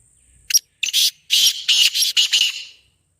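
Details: Black francolin call, played to get caged birds calling: a sharp opening note, then a run of about six harsh, buzzy, broadband notes packed into two seconds, with a thin steady whine in the background.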